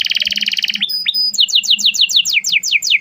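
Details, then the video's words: Canary singing as a training lure for a young bird learning its song: a rapid pulsing trill, a few clear whistled slurs, then a run of quick descending sweeps repeated several times per second. "kenari gacor panjang Cuit Cuit EMOSI, Pancingan Kenari Paud Belajar Bunyi"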